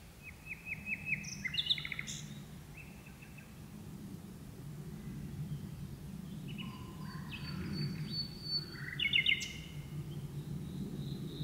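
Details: Common nightingale singing at dusk from deep inside birch bushes, with two birds singing; separate phrases of rapid repeated chirps and clicks, pure whistled notes and a rising sweep, spaced by pauses, over a low steady background rumble.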